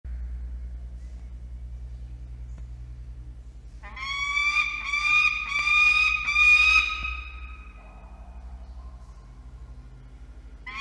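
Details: Peregrine falcon chick at a nest box atop a water tower in Orange, New South Wales, Australia, begging as an adult brings dinner on an evening in November 2021: a harsh, wailing, strongly harmonic call lasting about three seconds, over a steady low hum.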